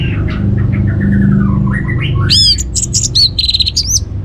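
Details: Orange-headed thrush lure song from Singaraja, Bali, intended to set other birds singing: a descending series of short slurred notes, then bright high upslurred whistles and buzzy repeated phrases, over low droning hum.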